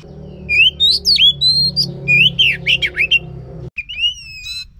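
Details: Oriental magpie-robin song for prompting a silent bird: bright whistled slurs and swooping notes over a steady low mechanical hum that stops near the end.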